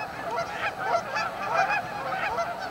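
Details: A continuous clamor of honks from many Canada geese massed at their staging area on Amber Trails Lake in Winnipeg, calls rising and falling in loudness as birds overlap.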